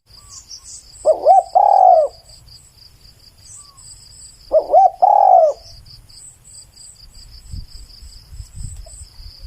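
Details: Spotted dove singing clearly: two phrases about three and a half seconds apart, each two quick rising hoots followed by a long, drawn-out, slightly falling coo; a thin, steady high whine and faint chirps run beneath.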